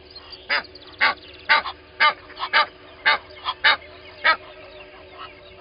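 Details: At dawn at a waterhole in Sabi Sand, South Africa, a pair of Egyptian geese gives a rapid series of harsh, nasal honks, roughly two per second, some doubled, with faint birdsong behind.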